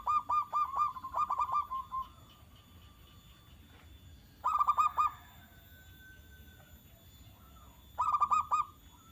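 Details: Zebra dove singing to provoke a reply from other doves: several bursts of quick ringing coos, a longer run at the start, then single short phrases separated by quiet gaps of about three seconds.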